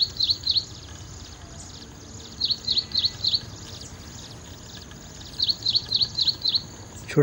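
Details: Ashy prinia repeating short runs of three to five sharp, high chip notes at a brisk, even pace. A continuous faint hiss runs behind it, and a brief low knock sounds at the end.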